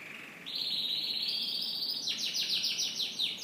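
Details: A canary sings in the morning, opening with a soft low note, then a long sustained high rolling trill, breaking into a quick series of repeated downward-sweeping chirps.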